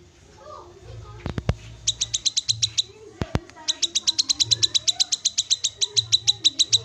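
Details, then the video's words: Black-capped babbler call for getting an untrained kinoi to start singing: sharp clicks, then a sustained, rhythmic run of high, piercing chips repeated several times a second until the end. "Gak Usah Nunggu Menitan, Kinoi Bahan Langsung Bunyi Dengar Suara Call Kinoi ini"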